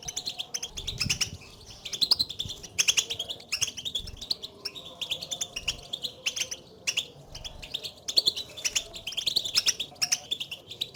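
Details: Goldfinch contact calling, meant to excite a lone caged European goldfinch into song: a long stream of sharp, high chirps and twitters in quick clusters, several birds overlapping, with faint low thumps.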